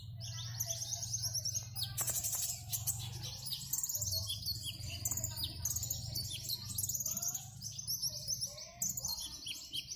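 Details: Sunbird kept in a cage, singing hard and showing off its borrowed mimicry phrases: dense high trills and twittering bursts run almost without pause, with a low background rumble.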